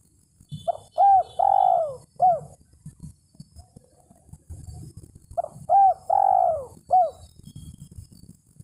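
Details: Spotted dove calling to a rival as a lure: two matching phrases of clipped rising-falling coos around a longer downslurred coo, about four seconds apart, over a soft low rumbling background.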